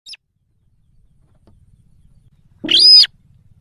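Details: Sintar sawah lure sound for pulling in wild birds: a faint brief squeak, then after two and a half seconds a loud, drawn-out rasping call with banded overtones.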